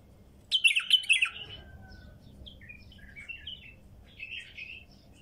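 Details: Female bulbul, wild, giving a loud, fast chattering burst of whistled notes at the start, then a string of quieter, scattered chirps and a final short warble.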